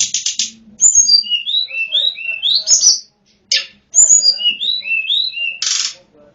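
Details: Lesser shortwing song used as a lure recording to attract wild birds: clear high whistled notes in short slurred rising and falling phrases, broken by brief buzzy rattling bursts, with pauses between phrases.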